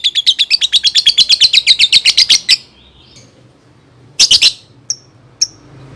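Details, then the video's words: Lovebird song meant to prompt young birds to sing: a rapid run of sharp, high chirps for two and a half seconds, then a pause, then a short chattering burst and two thin isolated peeps. "SUARA BURUNG Love Bird COCOK BUAT PANCINGAN PAUD"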